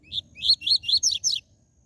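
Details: Rusty-collared seedeater song in the 'tui tui zel zel' style, used to stir up captive birds; five to six bright slurred notes in under 1.5 seconds, the final two pitched higher and sweeping downward, over quiet background.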